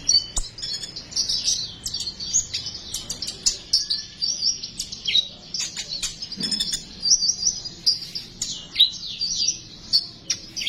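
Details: Sunbird song played to stimulate sunbirds to sing: a long, dense run of high, rapid chirps and trills, with bright sliding notes and quick sputtering phrases.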